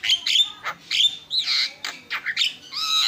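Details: Javan myna (jalak kebo) singing energetically: a jumble of harsh squawky notes, nasal chirps and swooping whistles with brief pauses between phrases.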